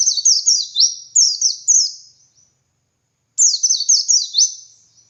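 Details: Gacor ngalas song of a dakun white-eye, used to tutor other white-eyes: dense bursts of quick shrill notes each falling in pitch, strung into long rolling phrases, with a clear pause midway.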